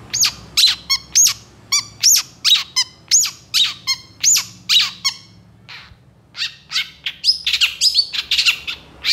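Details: Long-tailed shrike singing energetically in long bursts: regular harsh, downward-sweeping squawks repeated about twice a second, then a brief gap and a rapid tangle of scratchy chatter.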